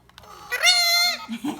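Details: Pet talking parrot at home copying a phone ringtone, as it does whenever the phone rings: one sustained, harmonic-rich electronic-sounding tone lasting about half a second, dipping slightly at the end, with soft household noise after.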